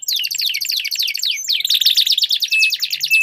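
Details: Two canaries in a singing duel pour out rapid trills of downward-sweeping whistles, then a dense buzzy rattle over a sustained high tone, bright and unbroken.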